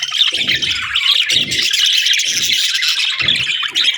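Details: Budgies on a peaceful morning keep up a bright, buzzy warbling chorus, while soft low rumbling bursts recur about once a second underneath.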